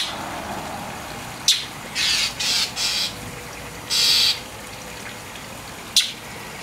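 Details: An agitated mockingbird scolds a cat trying to clean her wet tail. Raspy, noisy chack notes come in a loose run of three, then a longer harsh burst. Sharp clicks are heard near the start and end.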